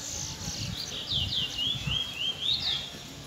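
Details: Chestnut-bellied seed finch (Trinidad bullfinch) youngster recorded close in the afternoon, giving a short run of slurred, descending whistled notes over low background rumble.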